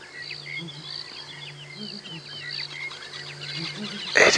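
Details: Unseen Southern Ground Hornbills answering a calling pair on a sunrise drive, 19 February 2017: faint, soft low booms grouped in twos and threes, set against a busy chorus of higher chirping and whistling birds and a steady low hum.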